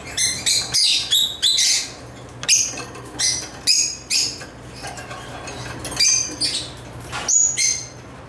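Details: African lovebirds at play with toys make short, separate high chirps and squeaky notes, about one or two per second, some clipped and sharp, others slightly buzzy, with quiet moments between.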